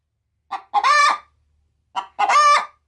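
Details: Pet hen getting ready to lay, nesting in a chicken-feed bag and cackling at someone approaching: two paired calls, a brief cluck then a long harsh nasal squawk, repeated after a short pause.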